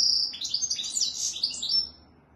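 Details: European goldfinch singing: a high, tinkling, fast twitter of overlapping bright notes for about two seconds, then fading into quiet.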